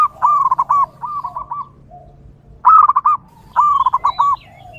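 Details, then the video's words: Local zebra dove singing vigorously in the wild, used to lure other zebra doves: two bursts of rapid, staccato cooing notes, each bout starting with a higher note and then bubbling evenly, with quiet pauses between. "PERKUTUT LOKAL GACOR DI ALAM LIAR, DURASI PANJANG COCOK UNTUK MEMIKAT PERKUTUT LAIN"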